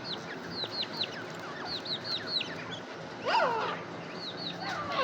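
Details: Partridge (teetar) calling: rows of quick, high, down-curving notes in short bursts, then louder, harsher overlapping calls from more than one bird toward the end.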